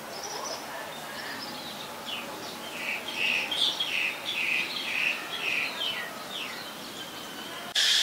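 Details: Oriental magpie-robin (Copsychus saularis), a very common resident, in Ubon Ratchathani, Thailand, on 20 March 2022, sings a varied run of sweet, rich whistles and slurred notes, about two per second, over a soft background hiss.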